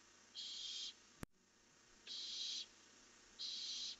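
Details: Barn owls leaving at night, 1 July 2015, caught on a camera: three even, raspy hissing screeches roughly a second and a half apart, with one sharp click between the first two.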